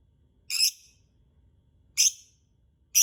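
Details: Lovebird sound used as a lure to prompt singing: two harsh, buzzy screeches about a second and a half apart, with a third starting at the end and silence between.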